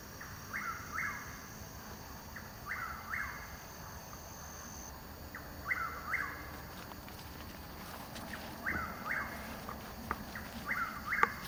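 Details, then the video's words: Chuck-will's-widow calling in woods at Hungryland Slough, Palm Beach County, Florida, on 21 March 2015, two hours before sunrise, recorded on a Nikon Coolpix AW100 camera: whistled rising-falling phrases repeated every two to three seconds, five phrases, faint steady hiss behind. "Chuck-Will's-Widow - Bird Call"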